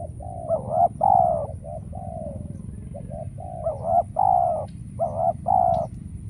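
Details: Trapping decoy spotted dove calling while wild doves are scarce: two clusters of rich, rolling coo phrases, short rising notes followed by longer gurgling coos, separated by softer coos, over low background noise.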